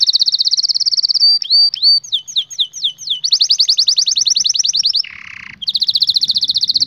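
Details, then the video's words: Canary singing for training young birds: a rapid high trill opens, followed by whistled upslurred notes, a long fast pulsed trill, a brief buzzy roll, then the high trill resumes. "Canary 's most powerful song for training 2022 اجمل تغريد لتعليم فراخ الكناري"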